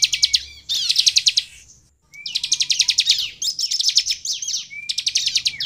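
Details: Song of a Sunda bush warbler, played to get other birds singing: fast buzzy trills of high repeated notes, each phrase introduced by a thin rising whistle, with short pauses between.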